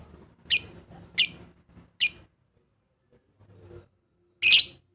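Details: Lovebird calls played to draw out rivals and make the bird sing, with three loud, raspy, high squawks spaced under a second apart, a gap, then a final longer harsh burst.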